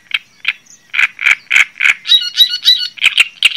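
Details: Java sparrow song beginning with a few spaced clucks, then speeding into a steady series of chattering notes and bell-like whistled phrases.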